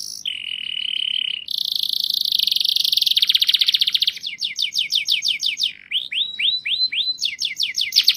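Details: Canary in song: a steady low trill, then a higher, louder rolling tour, a fast rattle, and a closing run of sharp upswept chirps in quick succession.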